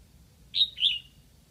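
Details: Lạng Sơn, Vietnam: a decoy red-whiskered bulbul sings to attract wild birds. One clear two-part phrase, a high sharp note and then a rolling, downslurred whistle, against near silence.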